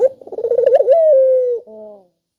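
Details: Spotted dove cooing, used as a lure to prompt reluctant doves to call: a stuttering series of rapid pulsed coos rising into one long, smooth, slightly falling tone, then a short softer double-toned coo to close.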